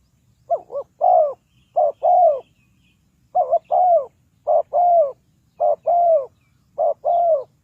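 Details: Spotted dove used to lure wild birds into a trap, repeatedly cooing in short-note-then-long-coo pairs, about six pairs in steady succession, each long coo rolling and falling, over a faint low rumble.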